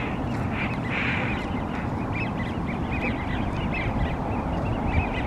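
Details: A wigeon flock at Green Lake gives repeated short, clear whistles from several birds at once, over a steady low rumble of wind or water.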